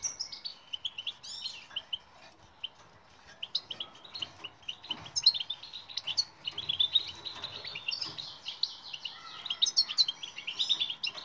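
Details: Goldfinch training song meant to make silent goldfinches sing: a long, somewhat softer stream of rapid twittering and tinkling notes, busier toward the end, over light background noise.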